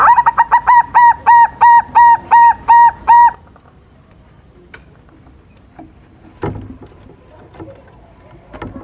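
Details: Young silver zebra dove singing vigorously as a lure for rivals to answer: a rapid series of about thirteen even coos, then quiet background with occasional knocks and clicks.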